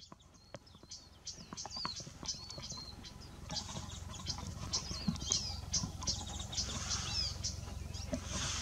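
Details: Hawaii amakihi (Chlorodrepanis virens) preening and foraging on Hawai'i's Big Island at 7:20 am on 20 July 2015, giving quick, high chips and short slurred chirps in scattered bursts over a steady low rumble and soft pattering.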